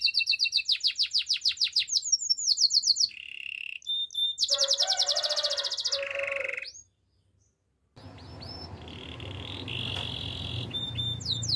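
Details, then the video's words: Canary song for training: rapid repeated chirping tours, short rolling trills and a dense buzzy phrase, broken by about a second of silence, then a fainter rolling trill over background noise. "Bird sounds canary chirping | The best canary training"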